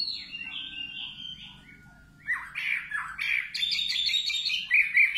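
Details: Singing nightingale starting with thin whistled notes and a long faint tone, then bursting into a dense, jumbled chatter of harsh squawky and bright twittering notes.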